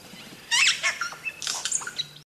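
Crested oropendola giving a quick run of harsh, gurgling and squawking notes with liquid upward sweeps, lasting under two seconds against a quiet background.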